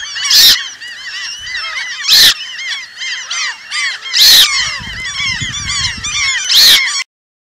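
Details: Eurasian coot of the Asian population: a dense chatter of many overlapping short calls, broken by loud, sharp, explosive bursts about every two seconds, with a low rumbling murmur partway through.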